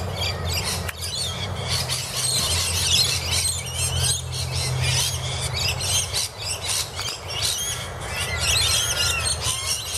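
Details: Several rainbow lorikeets squabble under a camphor laurel tree in Annerley, a noisy stream of high squeals and grating screeches in uneven bursts, set against a low rumbling hum of passing traffic.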